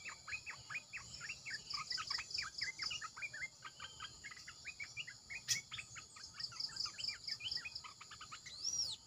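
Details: Red-eyed bulbul song used as a decoy call: a busy stream of short, bubbly chirps and quick upslurred notes, many overlapping, with a steady high pulsing insect-like buzz and thin rising whistles behind.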